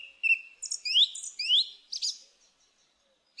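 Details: Song thrush delivering a quick, varied run of high twittering and rising swept notes, packed closely together and ending in a brief pause.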